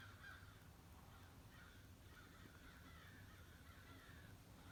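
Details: Crows at a bird feeder, part of a morning flock of at least 60 birds, give a continuous wash of overlapping hoarse caws at a distance, with low rumbling noise underneath.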